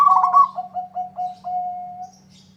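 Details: Local zebra dove (perkutut) singing freely, its song said to draw a rival's answer: a rapid rolling trill opens, then four or five short lower coos and a long steady held coo, over a faint constant low hum.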